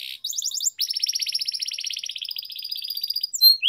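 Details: Canary song for singing training toward long rolling song: a short rapid trill, then an extended fast buzzy roll of repeated notes lasting about two and a half seconds, ending with quick upward whistles.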